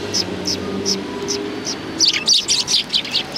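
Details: Cute sparrows behind a civic culture hall, recorded 17 January 2020: a steady series of short high chirps, then a denser burst of overlapping twittering from several birds, with faint low traffic rumble.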